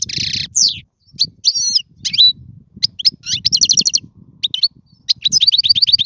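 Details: European goldfinch song meant for training chicks to sing, opening with a buzzy note, then scattered sweet whistles and a closing run of quick repeated twitters, with low rumbling noise behind.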